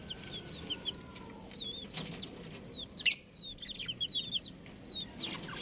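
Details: Baby chickens peeping: a group of chicks gives many short, high whistled peeps, some rising and some falling, overlapping quickly. There are scattered soft clicks and a sharp tap near the middle.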